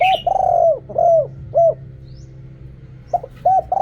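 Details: Spotted dove singing in the riak kham, khu kham and ok rong styles. A high chirp opens, then long and short low coos curve downward, with a gap before more short coos. A faint steady hum runs underneath.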